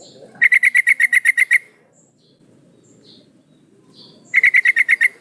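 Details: Calling female yellow-vented bulbul, used as a lure for males; a run of about ten rapid chattering pulses, a quiet pause with low background murmur and faint chirps, then a second shorter burst.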